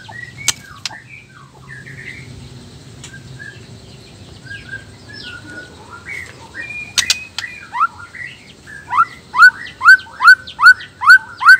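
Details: Male black-tailed white-rumped shama from Nias whose song is said to goad other males into singing: varied scattered whistles and slurs build into a loud, steady run of sharp upslurred notes.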